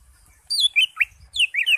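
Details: Short burst of cucak hijau (Greater green leafbird) ngentrok song: five slurred whistled notes, some falling and some rising, with faint low background noise.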